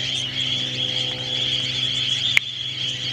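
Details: A flock of budgerigars swirling over Alice Springs Sewage Ponds, Australia, with a few cockatiels among them, makes a dense, steady wash of high chattering and warbling over a low mechanical hum, with one sharp click.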